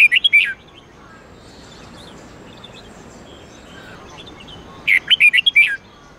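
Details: Caged-bird training recording of a Red-whiskered bulbul's 8-9-10 note song: two short phrases of rapid, bright warbling whistles, one at the start and one near the end, separated by several seconds of steady background hiss.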